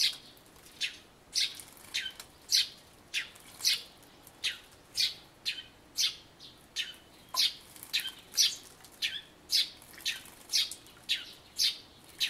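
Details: A Eurasian tree sparrow, probably giving spring song near a bird-table birdbath on 2 April, gives a steady run of bright, sharp chirps, roughly two each second, with a few doubled notes.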